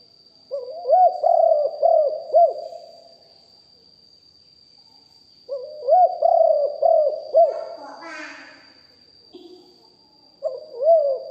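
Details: Spotted dove decoy bird singing 'กุกห้อย'-style phrases, recorded live. Each is a run of four or five arched, low coos, separated by pauses of several seconds. A brief rattling burst is heard partway through.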